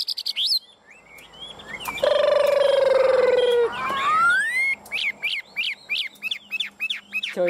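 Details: A caged Chinese hwamei sings on the afternoon of 27 June, nodding as it sings: loud, varied whistled phrases with a long steady note, a rising slur, then a quick run of repeated notes; a man's voice is heard briefly.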